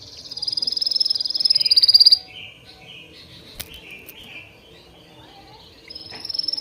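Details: A high, thin rattling trill rises in intensity over two seconds, then softer lower warbling notes follow, with a click, before the high trill returns briefly at the end.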